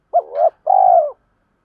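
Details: Decoy spotted dove used for luring wild doves: a brief coo sliding into a soft purr, then one sustained, wavering purring coo.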